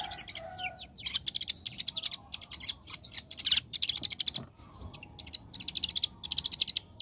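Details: Lively young bar-winged prinia singing the rapid AK47-like 'ngebren' style: nearly continuous high buzzy trills in rhythmic bursts, with a brief gap before the last runs.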